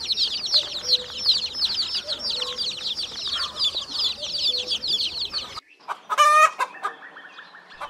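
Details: Chicks calling in a steady stream of high, thin peeps that overlap into a busy chorus for about five seconds, then a short buzzy, harmonic sound at the very end.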